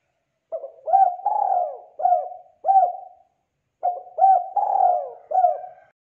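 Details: Lively singing spotted dove, used to train young doves to sing along: two cooing phrases, each of five short notes, a clipped opening, a long drawn-out middle coo, then brief hooked coos, separated by a silent pause.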